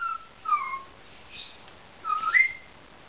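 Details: Soft whistled notes from a pet Indian ringneck parakeet, a falling pair early and a rising phrase later, fairly quiet against a low hiss.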